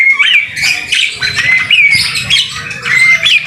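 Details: White-rumped shama song recorded in rain as a masteran for training birds: repeated high, sharp up-and-down whistles between scratchy chirps, phrases coming every second or so over a low patter.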